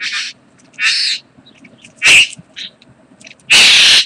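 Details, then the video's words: Mating bowerbird (karawarra), 8 January 2014: four harsh, breathy rasping bursts, the last longest and loudest, separated by quiet gaps with faint background rustle. "karawarra bowerbird 2014-01-08 mating"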